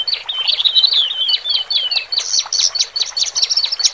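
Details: Male and female Horsfield's bush larks singing in cages as a lure for birds just taken from the flock. Jumbled chirps and falling slurred whistles come first, then a quick series of sharp, high notes.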